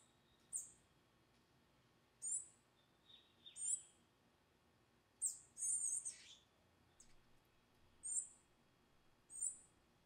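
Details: Palm tanager chicks being fed by a parent in the Amazon, Amapá, Brazil, give thin, very high squeaky notes about every one to two seconds, with a few lower rasping calls between them.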